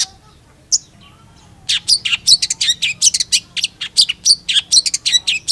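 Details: A faint low whistle opens, then a Long-tailed Shrike breaks into vigorous song: a fast string of sharp, harsh, high chattering notes, roughly five per second.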